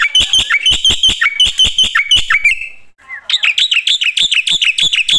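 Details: Loud black-winged myna singing full fill notes: quick repeated high chirps, a short drawn whistle and a brief dip, then more rapid chirping.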